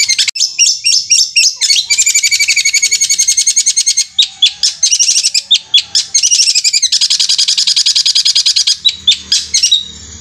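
Long-tailed shrike pours out a high, rattling stream of rapid repeated notes, like a sewing machine, in long bursts with only brief breaks.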